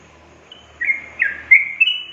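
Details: Yellow-vented bulbul song used to draw young caged birds into singing: after a quiet start, four bright, gurgling whistled notes rising toward the end, over a soft low hum.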